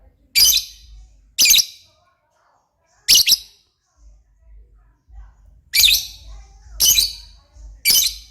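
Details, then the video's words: Lovebird in lively voice: six sharp, screechy squawks at irregular intervals, three early and three late with a long pause between, each short and grating against a quiet background. "burung Lovebird paling keren dan gacor"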